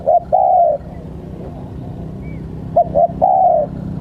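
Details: Spotted dove, known locally as tekukur, calling while being teased in the wild: a short low coo, then a longer drawn-out coo, and the phrase repeated after a pause, over a constant rumbling background.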